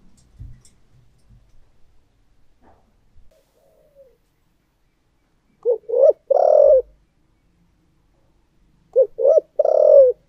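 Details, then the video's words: Thổ-voice spotted dove decoy, quiet with faint low knocks at first, then two bursts of loud coos, each a quick pair of short notes and one longer rolling note. "cu gáy giọng thổ đặc Mp3/ Tiếng Chim Cu Mồi Giọng Thổ Đặc Sắc"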